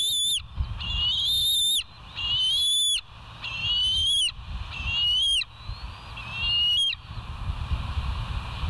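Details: Bald eagles calling at the West End nest site on 13 September 2023, 04:29, filmed by a live cam: a series of six rising, squealing whistles, each ending in a quick stuttered drop, repeated roughly every second and a half amid low wind-like noise.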